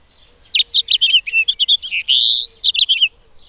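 A finch sings a quick, sweet run of chirps and warbled notes, rising and falling between mid and high pitches, with a brief smooth phrase in the middle.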